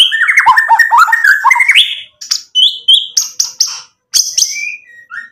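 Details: White-rumped shama singing energetically to provoke other birds to respond. A dense jumble of warbled whistles gives way to short, separated sharp notes and clear whistled slurs.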